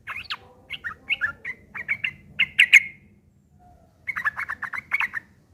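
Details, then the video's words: Yellow-vented bulbul in rough, chattering fighting song used as a lure to make other bulbuls answer: quick bursts of short, slurred notes, a pause, then a dense rattling run of similar notes. "trucukan gacor TARUNG ngeriwik kasar pancingan trucukan agar bunyi jadikan burung trucuk gacor NYAUT"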